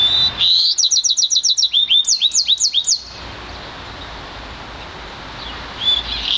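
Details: One-year-old Yarrell's siskin mule, a hybrid bred from an intensive green Fife canary, singing: a rapid run of high, thin notes, then about five slurred, descending whistles, followed by quiet background and a faint note at the end.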